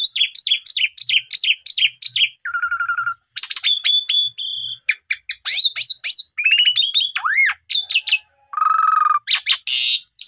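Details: Asian pied starling in varied song, played to trigger singing and mimicry in young starlings: a quick chip phrase repeated about six times, a low buzzy note, a mix of whistles and upsweeps, then another low buzz and harsh notes.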